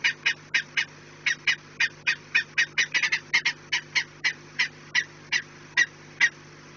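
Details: Peregrine falcon at the Orlen nest, 4 March 2019, 16:28, repeating rasping kek notes roughly three per second with a brief quick cluster midway, over a constant low hum.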